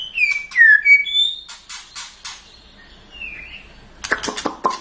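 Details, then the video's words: White-rumped shama, a champion bird, singing varied phrases: sweeping slurred whistles, a trio of rough chattering notes, a soft warbled whistle, then a burst of rapid harsh chatter. "Suara murai juara"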